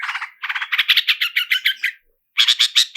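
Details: Long-tailed shrike lure recording in the roll speed and roll tembak styles: fast trains of harsh, buzzy rolled notes, then a short silence and a second burst of bright rattling notes, clean with no background sound.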